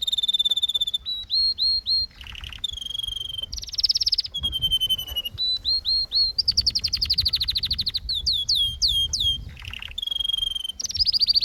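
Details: Canary in continuous song: whistled trills, quick upsweeping notes in twos and threes, a few low rattles and fast buzzy rolls follow each other almost without pause for over eleven seconds.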